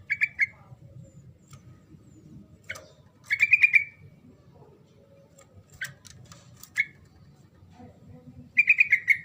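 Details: Sooty-headed bulbul in full song, used to stir silent birds into answering: brief bubbly phrases open, recur mid-way and close, with sharp clicks and single chirps in the quiet gaps.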